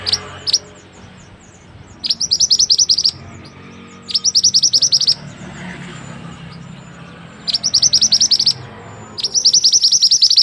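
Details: White-rumped shama from West Sumatra in active song, giving five short bursts of fast, high, piercing repeated notes, each about a second long, with steady low background noise between them.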